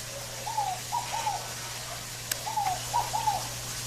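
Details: Scaled dove (fogo-apagou) song outdoors: two clear three-note cooing phrases, a descending first note followed by two quick arched notes, given in close succession against faint background hiss and a low steady hum.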